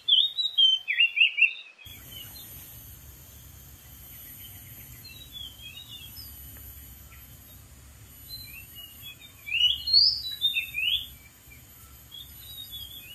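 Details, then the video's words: Oriental magpie-robin singing in the wild from atop a dead tree: varied clear whistled phrases in two bursts, one at the start and another around ten seconds, separated by quieter scattered notes; steady high insect hiss and low background rumble throughout. "KICAU BURUNG KACER DI ALAM LIAR | GACOR DARI ATAS POHON MATI"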